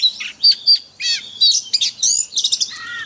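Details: Forest-style song of an oriental magpie-robin, played daily to train caged birds: clear whistled notes, then layered buzzy, harmonic phrases and a descending slur, delivered in rapid short bursts.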